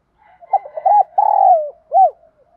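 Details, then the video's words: Challenge cooing from a spotted dove, performed to stir up rivals. Low, hollow coos open with choppy short notes, then swell into a sustained, gently descending note, and end with a separate rounded coo. Nothing else is audible. "Tiếng chim cu gáy Thúc đấu gáy kích bổi cực nhạy"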